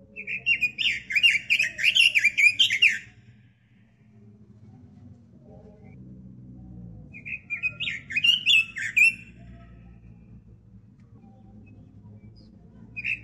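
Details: Robin kept as a cage bird, recorded as master song for training other birds: bright, fast warbled phrases of quick rising and falling notes lasting about three seconds, a second burst near eight seconds, then quiet with low room hum.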